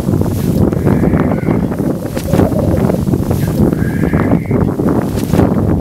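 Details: Black grouse (Lyrurus tetrix) in the Swiss Alps give a steady low bubbling, cooing chorus broken by short harsh hissing sneezes, with two faint thin whistled notes in the background.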